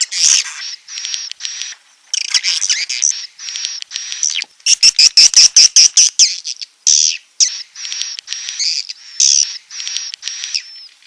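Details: Swiftlet call made of rapid high chirps and short flat whistles repeated about twice a second, with a loud stuttering run of clicky pulses in the middle.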